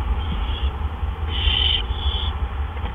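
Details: Barn owl nest, April 17, 2013, in the evening as gophers are delivered. A faint hiss is followed by one louder, harsh screech lasting about half a second, then a softer trailing hiss, over a low hum.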